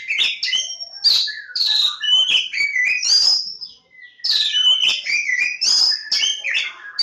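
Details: Oriental magpie-robin (Kacer Jawa), lebakgowah, pouring out two long runs of song divided by a short gap near four seconds; clear slurred whistles mix with rapid chips and grating notes.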